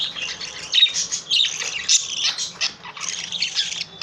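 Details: Pet male budgerigar singing, which the owner links to being happy: a continuous, scratchy warbling stream of high chirps, squawks and clicks.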